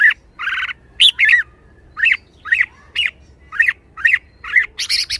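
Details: Excited red-whiskered bulbul opens with a harsh buzzy rasp, then delivers a string of clear, falling whistled notes at a brisk pace, ending in a noisy chattering burst.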